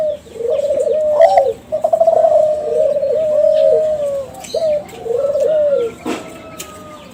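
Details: Young Kelantan spotted dove from a champion contest line, calling to provoke other doves: rolling, quavering coos joined into long phrases, with a clicking sound near the end.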